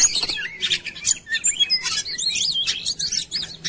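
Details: Magpie-robin singing for a lure recording, with rising and falling whistled slurs, wavy repeated notes and rapid chirps.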